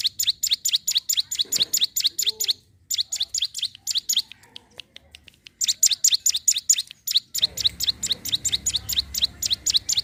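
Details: Sunda warbler, recorded to lure wild birds, singing energetically: long runs of rapid, shrill chirps at roughly two per second, interrupted by several short gaps, with faint low noise toward the end.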